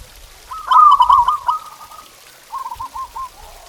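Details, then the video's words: Zebra dove song played as a training recording to get pet doves singing: a loud, rapid run of rolling coo notes for about a second and a half, then a quieter, softer trilled phrase after a pause. "Suara Masteran Perkutut Ini Bikin Burung Kamu Nggak Mau Diam!"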